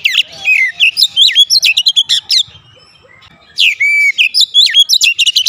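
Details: A home-kept Oriental magpie-robin pours out loud whistled phrases with swooping notes and quick chips, then goes quiet for about a second before another fast, varied burst.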